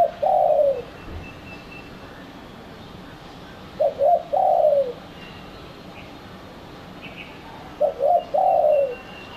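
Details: Spotted dove call played as a lure to attract doves: three phrases, each two short clipped coos leading into a longer, falling coo, repeated about every four seconds over steady low hiss.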